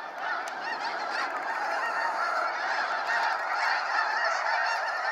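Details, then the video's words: Flock of snow geese at a sunset fly-out, Sacramento National Wildlife Refuge, giving a thick wall of rapid, overlapping honks that swells slightly toward the end. "Waves of Snow Geese Sunset Fly-out"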